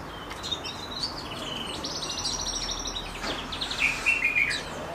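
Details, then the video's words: Goldfinch mule song: rapid twittering phrases with buzzy rattling trills mid-clip, ending in bright, ringing chirped notes, all high-pitched over a faint low hum. "Goldfinch mule"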